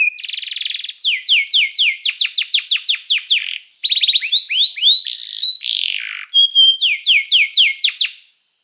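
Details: Nearly unbroken canary song, used to train canaries and call other birds to sing. Dense trills, fast falling sweeps and short buzzy bursts follow one another before the song stops abruptly in silence.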